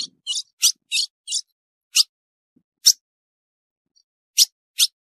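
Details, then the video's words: A female ultramarine grosbeak gives sharp, high chip notes, about nine in five seconds, first in a quick cluster, then at looser irregular gaps over silence; the call is used to excite male grosbeaks. "Piado de fêmea de Azulão Esquenta qualquer Azulão"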